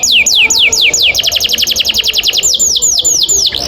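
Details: Training recording of a canary's long roll song: steeply falling whistled notes, then a fast even trill of short notes, then returning to spaced descending sweeps.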